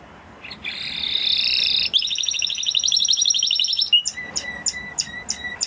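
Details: Song of a Spanish Timbrado canary: a long buzzing warble, a rapid pulsed rolling trill, then spaced sharp ticking notes, over a faint hiss.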